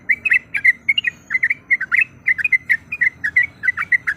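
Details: Calls of a female yellow-vented bulbul summoning a male to provoke a rival: clipped, bubbling two-note phrases come in quick succession over a steady low background hiss.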